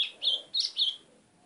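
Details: White-throated seedeater giving four piercing, high, down-slurred whistled notes in quick succession, the call series ending abruptly into near silence.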